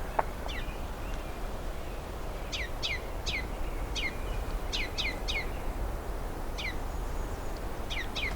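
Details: A male Ruby-crowned Kinglet near a cedar swamp, behaving curiously close to the observer near a possible nest, gives high, sharp, down-slurred notes in quick pairs and triplets, spaced irregularly, over a steady low rumble of wind.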